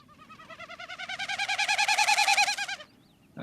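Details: Wilson's Snipe winnow, harsher when heard up close: quick, rhythmic, hollow pulsing whistle rising in loudness for nearly three seconds, then fading out gradually, with a short sharp sound at the end.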